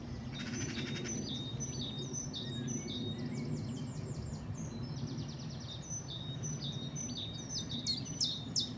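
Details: Common chiffchaff recorded singing at Saltersford Locks, Cheshire, on 31 March 2014: a short buzzy rattle, then runs of sharp, high repeated notes with uneven spacing, partly masked by a strong low rumble.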